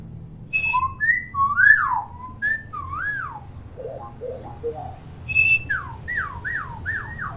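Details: Captive hill myna pours out loud, varied whistles: sliding up-and-down notes, sharp high chirps and low gurgles in quick chattering bursts, used to prompt young mynas to vocalise.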